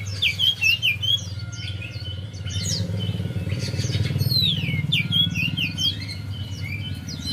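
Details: Javan white-eye singing, played as a lure so a quiet bird will start to sing. Rapid high chirps and twittered notes come in bursts, with a passing motorcycle rumbling loudly through the middle.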